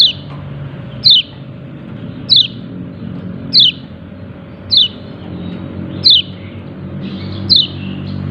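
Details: White-eye with a yellow breast giving its "ciak ciak" call, bright descending chirps repeated about every second, seven in all, against a constant low mechanical hum.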